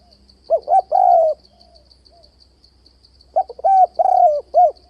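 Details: Spotted dove luring call for trapping, two phrases of quick stacked notes and a long soft coo separated by a silent pause, with steady insect chirping in the background.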